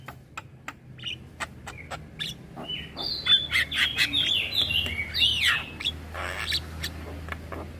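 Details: Young Javan myna chattering nonstop with nodding head: spaced dry ticks, then a busy stretch of bent, squeaky whistles and a harsh rasp near the end.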